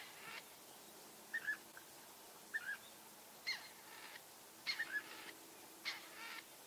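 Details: European bee-eaters in the Eifel, Germany, giving brief burry calls in pairs and small clusters, irregularly spaced, with faint higher chirps from other birds in the background.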